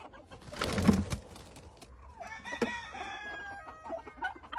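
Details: A male Indian peafowl (peacock) shivers its raised train to get a peahen's attention, a brief, dry, rustling rattle lasting about half a second, followed by soft clucking calls from nearby fowl.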